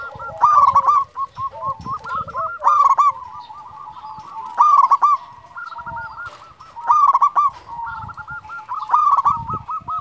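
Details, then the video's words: Prolific local zebra dove singing as a lure to rouse other doves: bright, clipped coo phrases recur every two seconds or so over a steady bed of rapid rolling coos from further doves. "Perkutut lokal gacor Juara memanggil"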